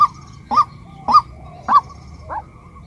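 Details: Female white-breasted waterhen giving four short nasal, rising-falling notes, the last one quieter and lower, at roughly half-second intervals.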